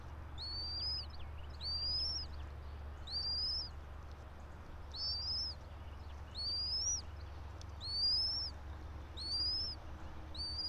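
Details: Bald eagle pair nesting atop a pine about 90 feet up, Johnson City, Tennessee, nest camera, 04.03.2024 at 06:28: about eight high, rising-and-falling piping whistles at a steady pace, roughly one every one and a half seconds, over a constant low hum.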